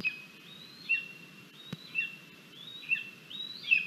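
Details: Crabby lesser spotted eagle chick at the nest during breakfast, 17 August 2022, filmed by a live camera: three drawn-out whistled notes that sweep down at the end, spaced about a second apart, with faint background hiss.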